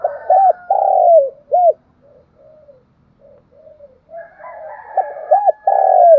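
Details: Spotted dove luring and calling in the morning: a phrase of double coo, long falling coo and short end note, quiet faint cooing in between, then the phrase again over other distant bird sounds.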